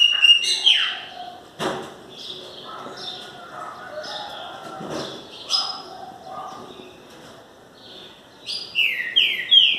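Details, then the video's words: A green-winged saltator, just starting to warm up, gives loud, clear whistled phrases of slurred notes at the start and end, with softer chirps, a couple of thumps and faint voices between. "Trincas cantando"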